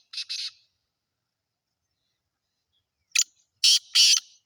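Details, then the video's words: Two quick rasping notes open, then after a pause the captive Sindhi black francolin (kala teetar) delivers a grating phrase of one sharp burst and two longer, louder harsh notes. "Kala teetar sindhi || black francolin //sweet voice"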